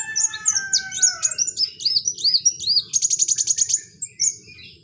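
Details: Kowul in the wild with a fast sequence of high arched whistled notes, a long falling whistle early on, then a rapid rattling trill of evenly repeated notes before a few final chirps.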